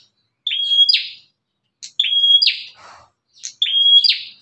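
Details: Aggressive bar-winged prinia calling, a sound said to draw in other prinias: three phrases, each a thin steady whistle that breaks into a rasping, falling buzz, with brief soft chips between.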